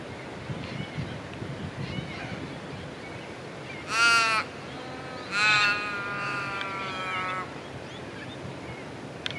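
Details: Australian wood duck in Perth, Australia, seen while feeding, uttering two nasal, harmonic calls about a second apart, the second slightly longer and wavering, amid low outdoor background noise.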